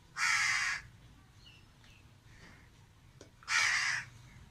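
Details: Crow calling alone from a tree, two loud harsh caws about three seconds apart, with faint quieter sounds in between.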